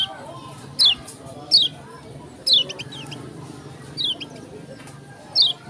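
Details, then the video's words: Lombok yellow-crowned bulbul giving single sharp, high, downward-slurred notes, spaced roughly a second apart over a steady low background hum. "KECIAL KUNING TAK PUNYA NAMA, JOSS NGAMUK"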